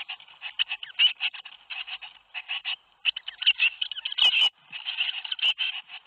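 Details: Tits in a nest box at Théding on 21 May 2019, calling as seven young fledge: rapid, dense bursts of high, buzzy chirps, often several at once, broken by short pauses and a few sharp scraping knocks.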